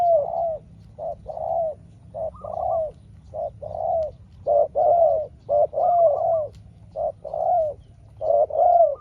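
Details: Spotted dove trading calls with a small-voiced wild rival in a long contest: low hollow coos in repeated short and drawn-out notes, about two per second, with a soft low rumble beneath.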